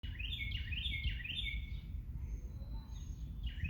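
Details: Bird song outdoors: a quick run of repeated descending whistled notes, followed by fainter thin high notes, over steady low rumbling background noise.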